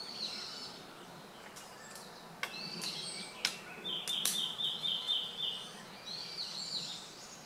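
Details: Red-billed leiothrix recorded 11 November 2012, calling loudly with shrill, high-pitched notes and a quick run of rapid trilled chips, with a few sharp clicks over a steady background hiss.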